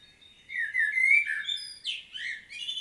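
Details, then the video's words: A common blackbird's solo in Świnoujście, Poland, recorded 25 September 2022: a clear, melodious whistled warble with gliding pitch, broken by a sudden high, scratchy flourish and a closing lilting whistle. "Blackbird's solo"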